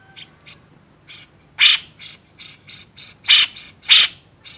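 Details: Grey-cheeked bulbul master recording for training songbirds: short rasping bursts repeated irregularly, with a few louder, broader harsh blasts among softer buzzy notes.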